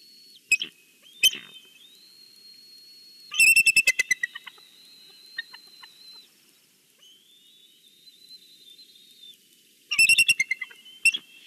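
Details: From its Big Bear nest on a Sunday, a bald eagle greets the valley: long, thin whistled tones rising and holding, broken by two sudden bursts of shrill, rapid chattering notes.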